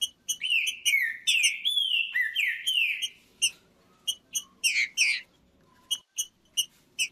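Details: Green-winged saltator, the trinca-ferro, singing to warm up a cold bird: it opens with a flowing string of loud, sweeping whistled phrases, then switches to scattered sharp chips with two brief slurred notes among them.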